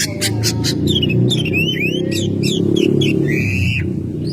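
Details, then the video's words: Caged Oriental magpie-robin singing at home: a series of quick upward-sweeping whistles and short harsh notes, ending in a longer rising whistle, over a loud steady low hum. "Burung Kacer gacor rumahan"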